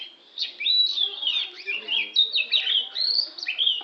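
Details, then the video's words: Oriental magpie-robin, Lampung type, delivering a continuous rich song of high whistles, slurs and chattering notes in rapid, varied phrases with short pauses between bursts. "suara burung kacer"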